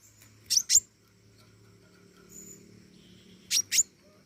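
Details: Flowerpecker known as pentis raja in lively voice: two quick pairs of sharp, very high ticking notes, three seconds apart, over a soft constant low hum.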